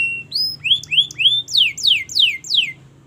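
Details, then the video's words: Long canary song used to teach other canaries: a steady whistle, then a series of rising slurred notes, followed by repeated loud descending sweeps at about three per second, over a low hum. "Masteran Kenari Gacor Panjang‼️Cocok Untuk Pancingan Kenari Belajar Bunyi dan Macet Bunyi"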